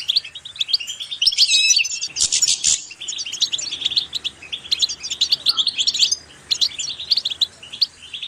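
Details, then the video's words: Goldfinch singing, recorded to encourage birds to sing: a fast, jumbled stream of bright twittering notes, with a harsh buzzy burst near the start and sharp clicking chirps throughout. "increasing the enthusiasm of the goldfinch to song"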